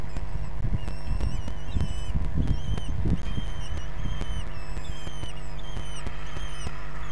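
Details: At a kestrel nest in Brest during a feeding on 6 June 2022, a live nest stream catches a run of high, thin, strained calls, roughly two each second, above a constant low drone and soft scuffling.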